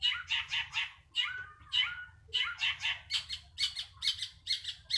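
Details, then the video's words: Tame long-tailed shrike giving harsh, rasping notes in short bursts about every half second, mixed with a few buzzy rising phrases, against a faint low hum. "cendet mewah jinak gacor"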